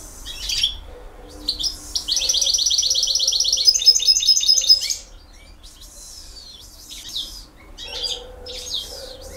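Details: Goldfinch song in 'campero' style, with twittering phrases around a steady rapid trill lasting about three seconds, then quieter chirps and a soft low hum.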